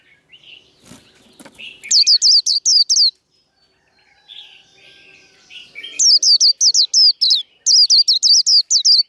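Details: Japanese white-eye fighting song (líu đấu) for stirring up cage birds: subdued lower twittering and a few clicks, then quick series of sharp, very high rising notes, repeated in three bursts separated by softer warbles.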